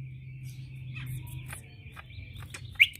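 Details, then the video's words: A greater green leafbird, its song offered as a lure to draw replies from other leafbirds, holds a thin, high whistle broken by quick sharp notes and ending in a loud chip, over a low steady hum. "Mudah Nyaut Cucak ijo Suara Seperti ini Untuk pancingan"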